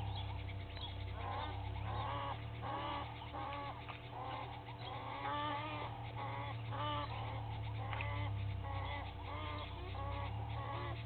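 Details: Egyptian geese of two families fighting at a waterhole in Sabi Sand, South Africa, heard from a distance: repeated hoarse honks in irregular bursts, mixed with a strong low rumbling hum.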